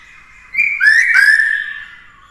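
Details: Caged black-throated laughingthrush singing to teach a young bird: a single short, bright whistled phrase that slides up, then eases downward and fades.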